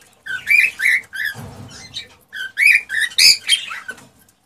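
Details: Excited male cockatiel singing to stir a female to mate and breed: rising whistled notes and harsh chirps in uneven bursts, with a short low rustle midway.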